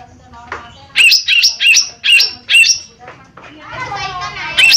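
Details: Lesser green leafbird (cucak ijo mini) giving a harsh call series used to prompt other birds to sing. About five rasping notes, each separated by short gaps, end in soft jumbled twittering and one last loud note.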